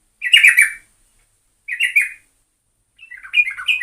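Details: Yellow-vented bulbul (trucukan) in busy gacor singing: three short bubbly, warbled phrases with slurred falling notes, separated by pauses of about one second, clear and loud against a silent background.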